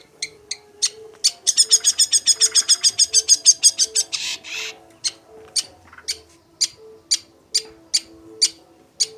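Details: Long-tailed shrike in active, energetic song: a quick run of sharp, bright, clicking notes about three per second, then slower, spaced single notes. A low, soft tone repeats in the background.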